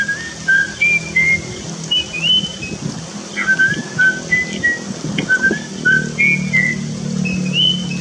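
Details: Wild starling recorded in forest, giving a series of clear, pure whistled notes, each short and level or slightly rising, shifting between higher and lower pitches, spaced roughly every half second over a low steady background hum.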